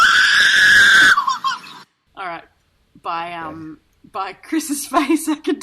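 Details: A superb lyrebird at a zoo, named Ekko, imitating a crying baby: a long, high, wavering wail, then broken, sobbing cries in short bursts.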